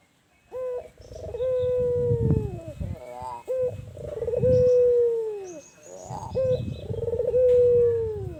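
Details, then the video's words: Repeated cooing of a tame albino ringneck dove kept in a hot place: three long, soft, level coos, each sliding lower at the close, with short rolling tremors between them and faint low rumble beneath. "Burung Puter Albino Jinak Manggung di Tepat yang Panas"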